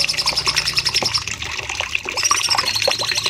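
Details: Bulbul, known locally as cucak cungkok, in a training recording for caged birds with long shooting phrases: a rapid high trill of evenly repeated sharp notes breaks off, then resumes slightly lower, over dense busy chirping.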